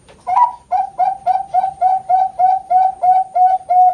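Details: Bangkok-line zebra dove (perkutut) from a bird farm in Kroya, Cilacap, Central Java, Indonesia, giving competition-quality cooing with steady front, middle and end notes: about a dozen short, mellow, slightly rising coos in quick, even succession, clean and close.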